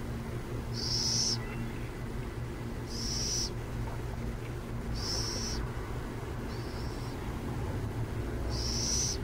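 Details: Five rough, high hissing bursts from burrowing owls near San Jose, repeated roughly every two seconds, the fourth softer, above a constant low hum of distant traffic.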